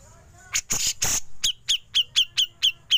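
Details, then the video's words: Rasping besetan bursts from a Grey-cheeked bulbul give way to ngepik, on a training recording for songbirds: several harsh, noisy rasps, then a steady run of about eight crisp, downslurred 'pik' notes roughly every fifth of a second. "Besetan Cucak Jenggot Lanjut Ngepik"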